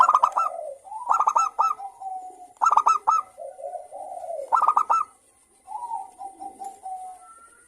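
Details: Local zebra dove, a lively singer with a clear, crystal-toned voice, used as a lure to stir other zebra doves into singing. Four bursts of quick staccato clipped notes, each followed by lower, softer warbling coos. A faint steady high hiss runs throughout.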